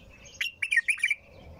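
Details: A short bulbul phrase of four quick, clipped notes, rising and falling. Soft high twitter before and after.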